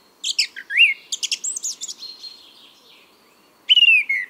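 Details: Male song thrush singing spring song in Biryulyovsky forest park, Moscow, 23 April 2022: loud varied phrases of clear whistles and sharp repeated notes, a brief pause, then a bright descending phrase; chaffinch in background.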